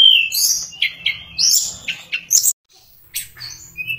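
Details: Chatty Sulingan (Tledekan) song in fluting nyuling style, a mimic of other birds: bright whistled slurs and sharp upward notes in quick bursts, one brief silent gap, then a few softer whistles.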